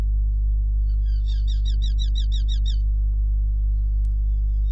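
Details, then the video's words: Hobby falcon calling loudly at its nest in Hungary, 5 July 2016, just before returning to incubate eggs; a quick string of about eight sharp, repeated kew notes lasting over a second, with a constant low-pitched hum throughout. "Falcon Hungary Hobbie 2016 07 05 loud calling and back on eggs"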